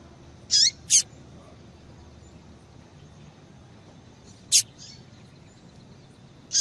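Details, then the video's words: Calls of a female double-collared seedeater, meant to get males singing: brief, very high chirps, a close pair near the start, then single notes after long silent gaps, over a low background hiss. "Piado de Fêmea de Coleiro para Esquentar Coleiro tui tui"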